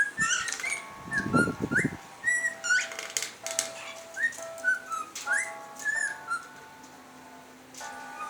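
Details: Pet cockatiels playing with an electric fan give short, rising whistled chirps about every half second, over a steady mechanical hum, with a brief low thump near the start.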